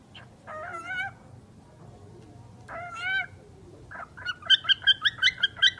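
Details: Talking bird producing harmonic, voice-like squawked phrases twice, then a quick run of about eight rhythmic clipped chirps at the end.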